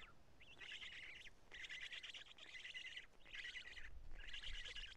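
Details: Black storks at Karula, 2 June 2017, evening feeding and nest change: four rough, grating bursts with quavering notes, each lasting under a second, over low background rumble.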